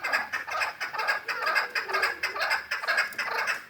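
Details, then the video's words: Six-month-old hybrid partridge in Kulob giving a steady series of harsh, clucking chuk notes, about two per second, loud and rhythmic throughout with slight rises and falls in strength. "Кабки гибрид"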